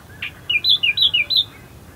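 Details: Dawn in the reeds at Herdsman Lake, Perth, Western Australia: an Australian Reed-Warbler delivers five clear, high whistled notes alternating rising and falling, evenly spaced about every quarter second.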